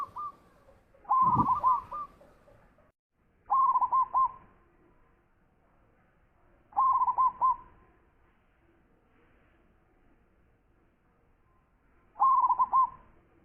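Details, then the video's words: Zebra dove repeating compact cooing phrases, four bursts of a few rapid hooked notes each, separated by quiet gaps of two to four seconds; a low thud under the first. "Perkutut Lokal Gacor Suara Besar"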